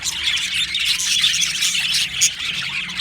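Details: Australian budgerigar colony in an aviary, recorded 15 July 2025: a dense, unbroken wash of high-pitched chirping, squeaky chatter and short squawks from many birds overlapping at once, with no pauses and a brief sharper squeal near the end.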